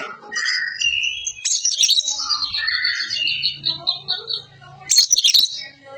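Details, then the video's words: Greater green leafbird in dense song likened to a magpie robin, a training recording for songbirds: varied whistled phrases, a long high chattering run, and a harsh burst near the end. "Burung Cucak Ijo Gacor Suara rapet - cucak hijau Gacor rasa kacer"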